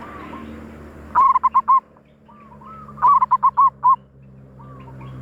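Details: Zebra dove calls used as a lure for wild doves: two bursts of five quick, even, bubbling coos at mid pitch, about two seconds apart, with softer rising single notes between and faint low background hum.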